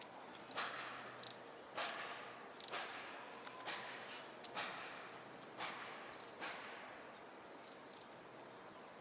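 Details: Long-tailed tits in a park at Junsai-ike, Chiba, Japan, in March: short, buzzy, rasping calls about every second, with thin, very high ticks mixed in; soft background hiss throughout.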